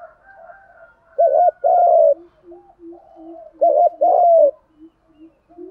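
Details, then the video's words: Male and female spotted doves giving their coo, used to make captive doves start cooing: two loud phrases of a brief double note and a long mellow coo, with softer low hooting and faint coos beneath. "tiếng chim cu gáy kích bổi nhanh nổi và gáy theo cả ngày"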